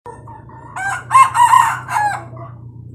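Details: Red junglefowl rooster giving one full crow: a short rising opening note, then a loud harsh, broken multi-part phrase lasting about a second and a half, fading at the end, over a steady low hum.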